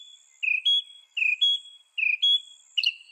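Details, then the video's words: Northern mockingbird repeating a paired phrase, a buzzy low note then a higher whistled note, three times at steady intervals, over a constant thin high tone. "Veja o canto do pássaro, ave zombeteira"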